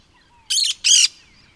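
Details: Two loud, grating screeches in quick succession from a cactus parakeet, each lasting a fraction of a second, over a soft low rumble.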